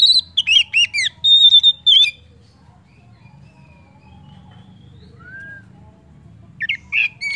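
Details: Oriental magpie-robin singing to stimulate other birds: quick varied whistled notes and a long flat whistle in the first two seconds, quiet with one soft slurred note, then renewed bright phrases.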